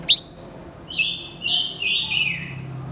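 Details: Male and female blue-winged minla lure singing to provoke wild birds: a quick sharp upward chirp, then a chain of high, ringing whistled notes held and wavering slightly for nearly two seconds.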